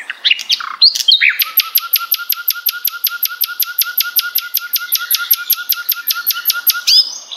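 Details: Common nightingale singing, recorded for tutoring contest birds such as the white-rumped shama. A few short opening notes lead into a fast, even rattle of about twenty sharp clicking notes a second, held for five seconds and ending in a brief whistle.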